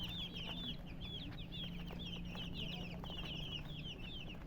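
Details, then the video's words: Chirping from murgi hens: quick bright slurred notes tumbling over one another in a continuous stream, backed by a low droning hum. "silly chicken chirping sounds with murgi hen color chicken"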